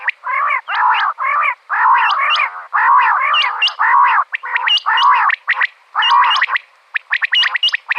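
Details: Female common quail, calling in a recording used for quail hunting. Gargling, nasal notes with stacked harmonics come in half-second bursts about once a second, topped by sharp upturned chirps, ending in a fast run of clicks.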